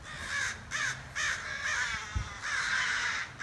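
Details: Outside a back door, crows give loud, raspy caws in a quick sequence of about six, with a short thud midway and little else behind them.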